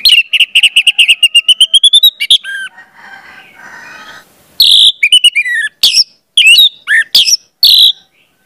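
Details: Orange-headed thrush song meant to encourage young birds to sing: a rapid series of about fifteen evenly spaced whistled notes rising slightly in pitch, a pause, then sharp, varied whistles and chirps.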